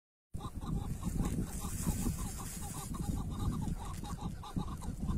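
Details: Tethered chukar partridge used as a decoy during hunting, giving a steady run of short, clucking mid-pitched notes repeated in quick rhythm, partly buried under heavy low rumbling and wind-like noise.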